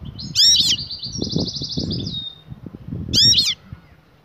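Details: Female European goldfinch in breeding condition calling to the male to mate: two bursts of bright, sharp chirps with a short, high, buzzy trill between them, over low rustling and thumping noise.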